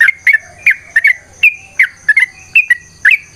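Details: ['Yellow-vented bulbul, a lively lure song for prompting other birds to reply. Crisp doubled whistled chirps come at an uneven pace of roughly two and a half per second. A steady faint high tone lies beneath.']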